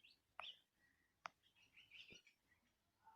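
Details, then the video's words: Bird song from Andhra Pradesh, India: thin high chirps and brief warbled notes, broken by a few sharp clicks, over soft low background noise. "Birds singing in Andhra Pradesh india"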